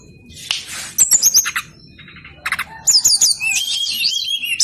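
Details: Male brown-chested jungle flycatcher song, used as a lure for reluctant birds: short harsh notes and clipped whistles build into rapid high twittering with wavering whistled phrases toward the end.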